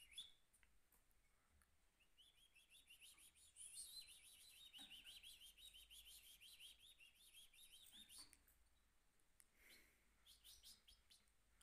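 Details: A goldfinch mule (goldfinch × canary hybrid) sings in its cage: a fast, bright twittering song with rolling trills and chirps, running almost continuously at a high pitch, with a few sharp clicks in between.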